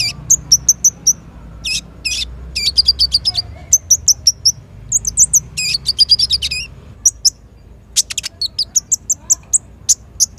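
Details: Konin or kolibri ninja sunbird singing continuously as training song for young birds; rapid high twittering chirps and buzzy clusters follow one another almost without pause, interspersed with sharp ticks.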